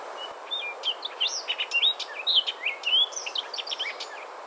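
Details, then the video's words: Orchard oriole song: a rapid, jumbled run of varied whistles and raspy chatters tumbling up and down, somewhat like a Baltimore oriole's but more jumbled and raspy, over faint background hiss. "Their vocalization is a little bit similar to the Baltimore, but it's a little more jumbled and a little more raspy."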